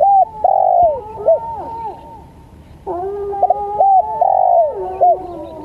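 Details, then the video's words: Spotted dove calling as a lure (pancingan) recording for training other birds: two bursts of mellow, hollow cooing phrases, each a short stuttered note followed by a longer drawn-out coo, with a quiet pause between the bursts. "PancinganTekukur||Cocok Buat Masteran Duarasi Panjang"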